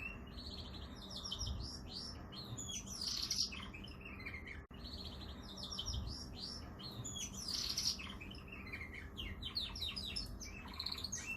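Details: Canary song with fast, repeated high chirps and rolling trills, a sharp louder rattling burst near the middle of each phrase, over steady low background hum; a brief click breaks the sound midway.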